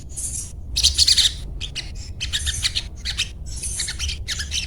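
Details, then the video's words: A sogon sings in a rapid chattering "cuet cuet cuet" pattern: short high scratchy bursts repeated in quick series, over a steady low background rumble. "Sogon Bunyi cuet cuet cuet Ngriwik"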